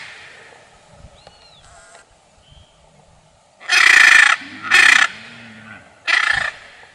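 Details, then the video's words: Quiet opening with a few faint chirps and soft noises, then a blue macaw bursts into three loud, rasping squawks, two close together and one after a pause, each harsh and nasal. "Blue Macaw Serenade: Enchanting Chants of Nature"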